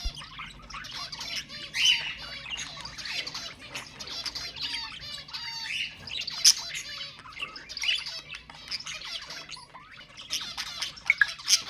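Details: Budgerigars singing to stimulate mating: dense, continuous chattering warble of buzzy notes and short whistles from several birds, with occasional sharper squawks.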